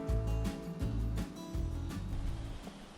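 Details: Instrumental music with a heavy, pulsing bass beat and sustained tones.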